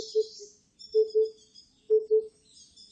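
Oriental cuckoo giving low, hollow paired 'hoo-hoo' notes, repeated about once a second, over a thin high buzz of insects.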